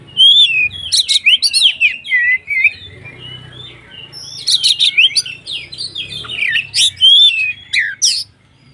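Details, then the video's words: Loud White-rumped shama song intended to provoke other shamas into singing: fast sequences of sharp whistles, rising and falling slurs and harsh chips in two strong bursts separated by a quieter warbling pause. "SUARA BURUNG Kacer gacor untuk PANCINGAN KACER agar EMOSI dan KONSLET"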